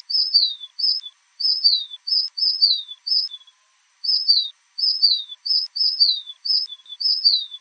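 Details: High whistled song of the Brazilian sauveiro-do-norte: a long, busy series of short steady notes and downward-sliding slurs repeated almost without rest, with one brief gap; clean background.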